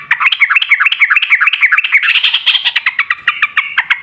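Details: Yellow-vented bulbul giving a lively, long rapid song used as a lure to prompt other bulbuls to answer. A continuous stream of quick, bubbly, slightly rising and falling notes at about three per second, with no break.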